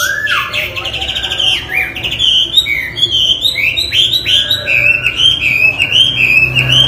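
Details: Chinese hwamei, cage bird, singing a loud varied song of whistled phrases that swoop down and up, with rapid chattering trills and repeated slurred notes in quick succession; steady low hum underneath.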